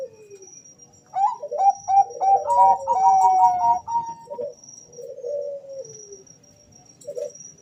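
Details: Two male Bangkok-type zebra doves answer each other, their rapid clipped notes and warbling coos overlapping in a dense burst, then trailing into lower falling notes, with a faint steady high tone throughout.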